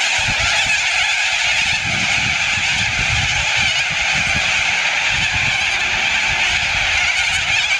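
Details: Thousands of corellas in an Adelaide suburb, Andrews Farm, Australia, make an unbroken wall of harsh, grating screeches, so many calling at once that no single call stands out.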